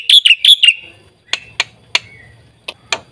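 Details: Black-winged myna (white starling) song, used as a tutor to stir other birds into singing: four loud, clear whistled notes in quick succession, then a pause and a series of sharp, widely spaced clicks.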